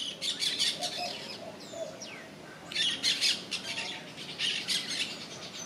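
Yellow-chevroned parakeets give harsh, shrill chattering screeches in rapid bursts, several birds overlapping, with brief pauses between bouts and a few soft lower notes beneath.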